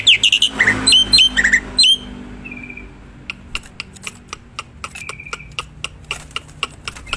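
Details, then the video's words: Black-winged myna in the wild, used as a lure sound: loud clustered whistled, upward-flicking notes for two seconds, a thin sustained whistle, then a run of sharp ticking clicks with occasional flat whistles. "Suara burung jalak putih_gacor"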